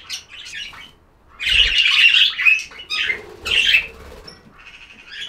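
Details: Pet budgies chattering, a long loud burst of raspy, buzzy warbling followed by shorter chirps and softer twittering, with a faint low thump.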